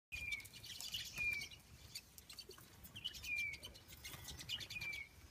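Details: Pine siskins feeding on a balcony, unbothered by a nearby person, give thin, high, slightly slurred calls several seconds apart over a steady hiss of background noise.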